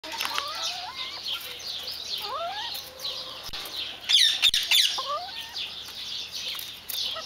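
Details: White Silkie chickens giving thin whistled peeps that sweep upward, scattered irregularly through the clip, over a steady hiss of background noise with a few sharp clicks near the middle.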